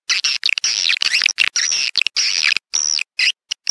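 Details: Swiftlet call to lure swiftlets into a bird house: long, high, buzzy twittering trills with wavering notes, broken by short pauses.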